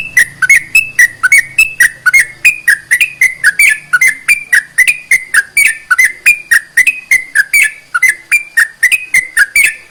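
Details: Sooty-headed bulbul singing, meant to rouse reluctant bulbuls to sing. Short chirpy notes come in a steady stream, about four each second, each a quick bent whistle with a crisp clicking edge, and a faint low hum underneath.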